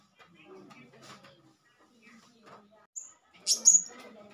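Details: Calling male blue-crowned hanging parrot used as a lure to provoke others. A brief thin high note, then a louder burst of two or three shrill squeaks near the end over quiet low chatter.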